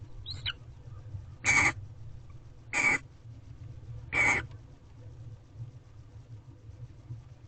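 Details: Female barn owl gently preening her mate inside an owl box at a corral, 1 March 2023, 10:14 am; three harsh, breathy hissing screeches, each about a third of a second, spaced roughly 1.3 seconds apart, over a low steady hum.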